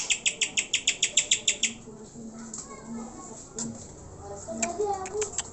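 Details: Greater green leafbird song used as a lure to make pet birds sing and grow agitated: a fast run of about ten sharp, high chirps in under two seconds, then softer scattered notes and faint lower warbles.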